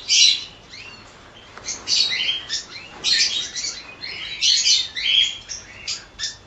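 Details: A colony of cockatiels giving a dense chorus of shrill, grating chirps and squawks. The calls overlap in irregular bursts roughly every half second to a second.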